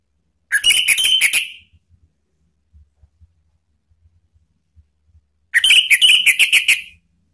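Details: Male orange-headed thrush giving two bright, rapid bursts of high, tumbling song notes, each about a second long and five seconds apart, with faint low knocks between.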